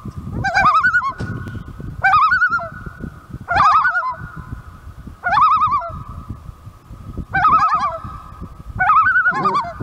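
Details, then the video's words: Common loons calling for their chick at Lake of the Woods give short, quavering, wavering calls about every one and a half seconds, with low rumbling wind or water noise underneath. "Loons Call"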